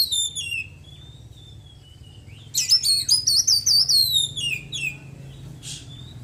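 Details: Post-moult Oriental magpie-robin, white-breasted type, giving a few thin drawn-out whistles, then a loud two-second burst of rapid high trilled notes falling away at the end, followed by a brief rustle.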